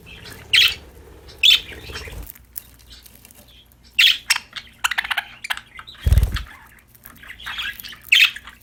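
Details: Happy, playful budgerigars give isolated sharp chirps a second or more apart, with soft chatter between them, a low hum early on and a dull thump midway.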